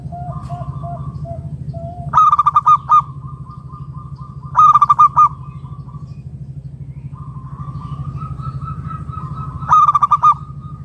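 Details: Loud-voiced local zebra dove calling to draw other doves into song, giving three strong bursts of quick, bubbling coos separated by gaps of a few seconds, with faint softer cooing between and a steady low background hum.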